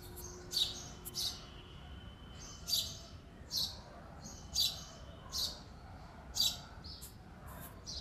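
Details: Male sparrow giving short, bright chirps, singly or in quick pairs, spaced about a second apart over a faint background hiss.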